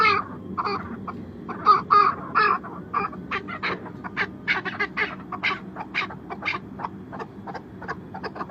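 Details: Chukar in Chitral, northern Pakistan, gives a long run of harsh, clucking chuck notes, several each second, rising into a steady rhythmic series over a faint low hum.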